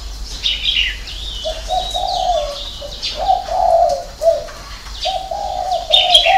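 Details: Spotted dove singing its six-note coo, known as hậu 3: a run of low, soft, hollow coo notes with a short pause mid-phrase, over steady chirping and twittering from other birds.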